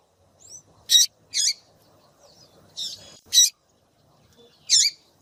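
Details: Female rusty-collared seedeater calling to heat up a cold male: loud high chips in pairs, about five in five seconds, with a faint thin whistled slur before them.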